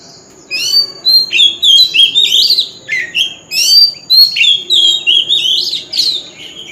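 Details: Oriental magpie-robin in wild-style lure song used for singing contests: a dense run of loud whistled and warbled phrases sweeping up and down, with rich varied notes and short pauses, over a faint steady low hum.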